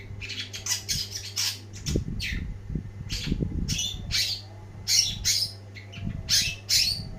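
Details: Energetic long-tailed shrike song of harsh squawks and mimicked chirps in irregular bursts, some notes sharp and rising, with low thumping and a constant hum behind.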